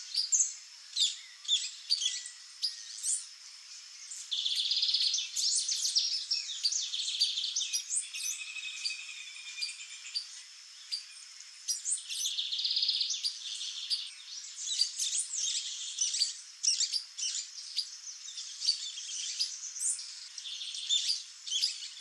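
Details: Long sequence from a female white-bellied seedeater (patativa-chorona): high chips, buzzy trilled passages and rapid slurred notes, alternating busy bursts with brief quieter gaps.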